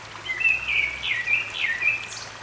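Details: Grey-backed thrush moving about a stream valley at Sinwonsa Temple, Gyeryongsan, Korea, May 2022, giving a fluid phrase of clear whistles with downward-swooping slurs, backed by constant flowing water.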